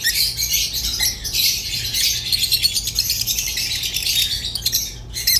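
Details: Rosy-faced and Fischer's lovebirds keeping up an almost continuous, buzzy, high twittering chatter with grating squawks that ends abruptly, over a faint hum.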